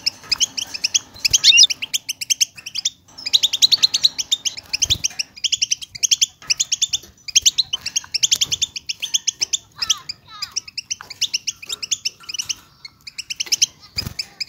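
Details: Massed European goldfinch song used to stimulate silent goldfinches: busy, liquid twittering and trilled chirps from many birds, swelling and thinning in waves, with a few short downward-slurred notes and occasional low thuds.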